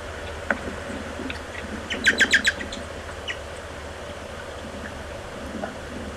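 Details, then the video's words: American goldfinch young being fed by adults at 7:40 on 30 July 2011 give a quick burst of four or five high, sharp chips, with a few scattered faint notes over a low outdoor hum. "American Goldfinch (Czyż złotawy) 30.07.2011. Karmienie"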